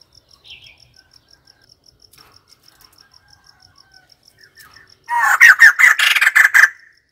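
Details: White-crested laughingthrush bursting into a dense, harsh cackling chatter for about one and a half seconds after a quiet stretch of faint, regular ticking notes.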